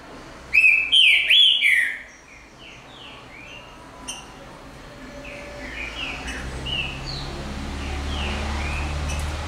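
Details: Green-winged saltator song: a loud burst of three or four rich whistled phrases near the start, then softer, scattered whistled notes from more distant birds over a rising low rumble of traffic.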